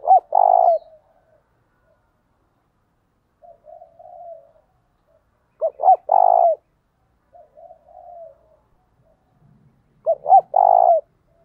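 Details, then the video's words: Spotted dove coo used as a decoy to excite wild doves, in the 'giọng thổ' voice style: a loud three-part phrase of two short rising-falling notes and a drawn-out coo, repeated about every five seconds, with softer wavering coos in between. "tiếng cu gáy thúc căng lửa, mở lên bổi nghe gáy theo cả ngày"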